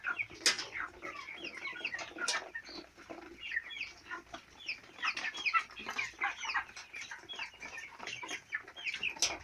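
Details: Farm chicks aged four weeks, many birds calling at once: a busy, continuous mix of short high peeps, trills and chirrups, with occasional sharper, louder cheeps standing out and soft background scuffling.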